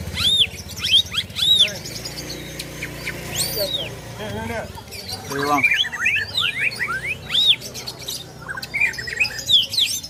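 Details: Greater green leafbird singing with plaintive cuckoo imitation: a jumble of arched and rising whistles, chirps and slurs scattered throughout, over steady background noise and low rumble.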